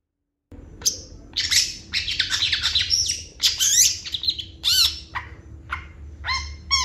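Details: Energetic Long-tailed shrike song full of borrowed phrases: bursts of harsh, scratchy, very high chatter mixed with rising and falling whistled notes and short clipped calls, over a faint low hum.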